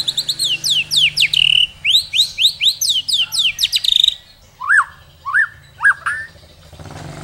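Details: Song of a white-rumped shama in the rich fill-in style with long phrases: rapid runs of sharply descending, slurred high notes, then slower spaced whistles that rise and fall, repeated about twice a second.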